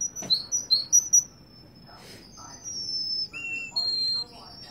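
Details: Russian canary singing in Kuwait: a quick run of bright, high chirps in the first second, then long, steady, piercing whistled notes with a lower tone near the middle and a few sharp clicks between phrases.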